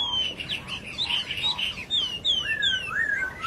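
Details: A wild laughingthrush gives rapid, varied chirps, then a string of clear whistled notes that slide downward and rise again.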